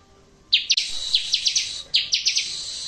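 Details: ['Bar-winged prinia song for coaxing a non-singing bird to reply: after a quiet start, loud rapid chips sweep down over a ringing high tone in two bursts.']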